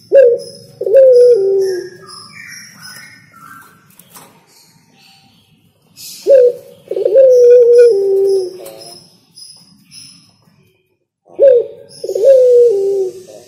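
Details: Spotted dove song repeated three times, each a clipped opening coo followed by a longer, slightly falling purring coo, spaced about five seconds apart, with thin high whistles and chirps from other birds behind.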